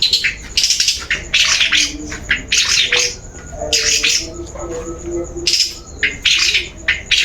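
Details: Long-tailed shrike lure sound played to coax singing: loud, harsh, broadband rasping bursts alternating with short sharp notes.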